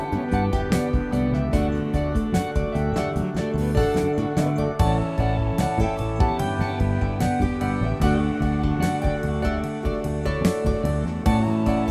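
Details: Only instrumental music is heard, steady plucked strings and keyboard with a regular beat, and no animal voices.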